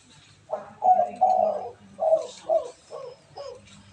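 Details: A caged spotted dove, kept and trained for quick calling, gives a hoarse cooing phrase: two drawn-out low coos followed by four shorter, descending notes, recorded indoors in a small room.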